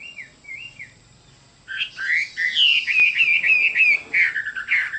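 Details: A Chinese hwamei sings: a few soft slurred whistles, then a loud, rich stream of warbled and whistled phrases.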